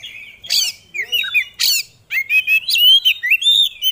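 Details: Kacer, or oriental magpie-robin, a competition songbird kept by hobbyists, singing loudly and unloading its isian repertoire: harsh scratchy bursts mixed with clear warbled whistles, bent slurs and short quick notes in broken phrases.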